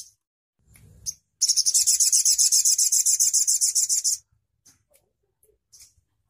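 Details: Crimson sunbird delivering a loud, rapid, high-pitched trill lasting under three seconds, with a few short soft chips and a low thump before and after.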